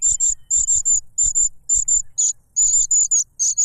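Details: Young cuckoo clamouring for food from its foster parent, which plugs its beak with a butterfly; harsh, high-pitched buzzy calls in short uneven bursts, some doubled, separated by brief pauses, with faint low knocks.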